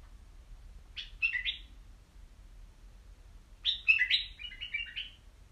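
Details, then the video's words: White-eared bulbul in a cage sings a brief three-note phrase, then after a pause a longer series of clear, bouncy whistled notes stepping downward, over quiet low hum. "تغريد بلابل يجعل بلبلك يغرد"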